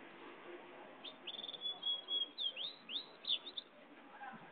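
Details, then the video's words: Singing pintagol (goldfinch x canary cross) giving a high trilled whistle that breaks into rhythmic, sweeping chirped notes repeated about four times per second over soft background hiss. "pintagol jau"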